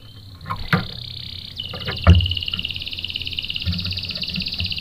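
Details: Canary singing as a lure to make others respond: a quieter steady buzzy rolled trill stepping down in pitch, broken by a few sharp knocks and low background rumble.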